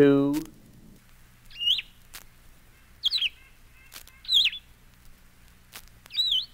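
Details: Blue-headed Vireo (announced as Solitary Vireo) sings four short, sweet slurred phrases, each followed by a pause of about a second; a man's voice speaks briefly first, and faint clicks are heard.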